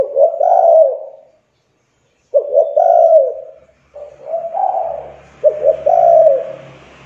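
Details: Spotted dove lure call for getting quiet doves to call quickly; several rolling coos with stuttered starts, evenly repeated, while a faint hiss and low hum rise in the background toward the end.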